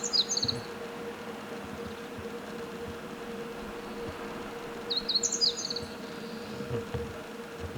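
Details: Song of a meadow bunting: two brief bursts of bright, high chirping notes, one at the start and one about five seconds later, separated by quiet. A constant low electrical-sounding hum runs underneath.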